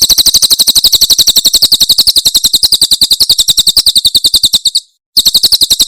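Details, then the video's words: Cililin tembakan song of a Javan prinia, meant for teaching caged birds: a long, relentless string of shrill, high chips at a quick regular pace, briefly cut by a short silence, then continuing. "Masteran Tembakan Cililin SUARA SUPER JERNIH"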